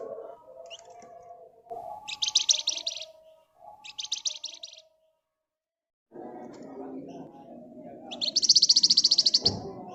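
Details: Flamboyan bird singing vigorously in a rapid ngebren style. Several short, dense, buzzy high trills come in bursts of about a second, broken by a silent pause. A low, steady hum and murmuring background noise run underneath.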